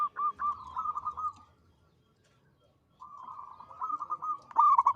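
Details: Melodious local zebra dove song: a rapid rippling trill of coos lasting over a second, about two seconds of silence, then another bubbling trill ending in a louder accented note.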